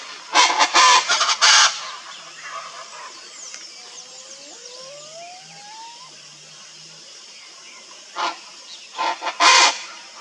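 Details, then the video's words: Wild Chaco chachalacas in the Pantanal give loud, harsh, grating bursts in a rapid ragged series at the start and again near the end, with thin rising whistles from another bird between. "CHACO CHACHALACA SINGING"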